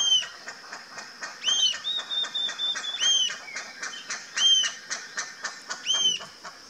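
Rufous-tailed jacamar giving high, sharp, slurred calls about every one and a half seconds, over a dense background of insect-like ticking and buzzing.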